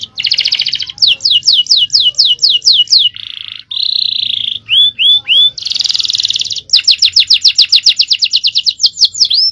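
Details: Canary, a male songbird, delivering a long, high-powered champion-style 'cengkok' song: fast series of downward-sweeping whistles, dense buzzy trills, a few rising slurred notes, then a rapid rolling run of repeated notes.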